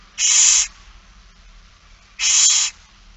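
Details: Barn owls during a feeding on 8 September 2019 at 16:02, giving two loud, rasping hisses about half a second each, roughly two seconds apart, with near silence between.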